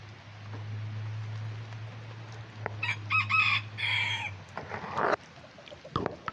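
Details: Bantam rooster among Lavender Old English Game, mille fleur and silver duckwing bantams out in the rain during Tropical Storm Beta, giving a short raspy crow, with a steady low hum and patter of rain underneath.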